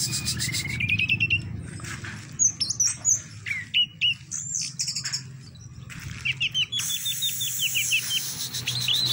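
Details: Captive orange-headed thrush delivering teler doyong song: stepped whistle series, loud separate squeaky bursts, then a fast descending string of sharp chip notes near the end.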